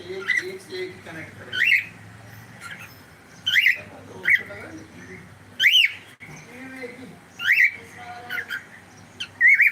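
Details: Cockatiel calling with sharp, rising whistled chirps roughly every two seconds, each a brief bright note, with soft murmuring voices and low room hum between calls.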